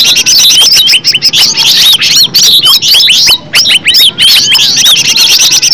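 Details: Natural green leafbird song used as a lure to start other leafbirds singing: a bright, rapid medley of arched whistles and sharp chattering notes, high-pitched, with a few short pauses.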